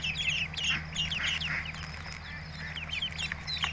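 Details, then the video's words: Ducklings peeping: many overlapping high thin peeps, each with a quick downward slur, come in a constant busy chorus over a steady low hum. "Cute Duckling | Funniest Baby Ducks Videos Compilation 2023"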